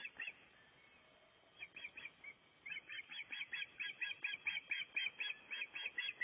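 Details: Breeding osprey at its nest during nest building in Gribskov, recorded from a livestream nest camera: a long run of sharp, whistled chirps repeated about twice a second, growing steadily louder and more regular, with a few scattered calls first.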